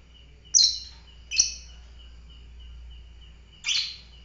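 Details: Three piercing, buzzy chirps from a fighter lovebird, two close together and one after a two-second pause, with a steady faint high whine behind.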